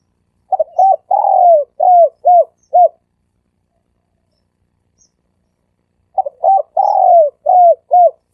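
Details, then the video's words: Dove luring call, 'sam kuk' style: two matching phrases of about seven soft hoots each, a stretched falling coo in the middle, separated by roughly three seconds of quiet. "เสียงนกเขาสามกุก เสียงนกเขา เสียงนกเขาใช้สำหรับต่อ เสียงนกเขาต่อหมานเข้าเร็ว"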